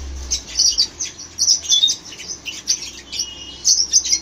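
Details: Red-rumped parakeets chirping: bursts of high, bright chirps and short whistled notes in uneven clusters, with brief pauses between bursts.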